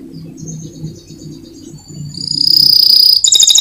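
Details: Competition-winning canary song used as a training master, in 2022: faint high notes over low background rumble, then a loud sustained high whistle and a rapid buzzy trill near the end.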